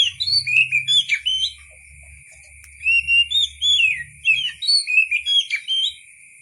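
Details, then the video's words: Oriental magpie-robin (kacer) song for tutoring songbirds: bursts of rich, varied whistles and sliding notes in quick phrases, a pause, then another lively run, over a constant high background tone. "KICAU BURUNG KACER SUARA ASLI"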